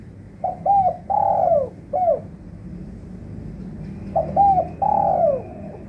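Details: Spotted dove lure call used for trapping: two phrases of low, mellow coos, each a quick short note followed by a longer drawn-out coo that slides downward, then a clipped final note, against a low steady hum.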